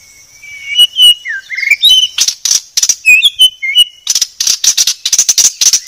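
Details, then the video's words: White-rumped shama, billed as a very clear song: a few sliding whistled notes open, then a fast run of sharp, high, clicking chips repeated in bursts to the end. "Masteran Murai Batu Paling Jernih"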